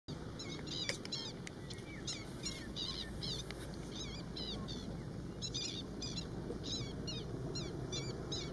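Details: A black-winged stilt (Himantopus himantopus) pair defends the eggs in their nest from a large openbill stork, giving sharp, repeated yapping alarm notes, several per second, over a steady low rumble.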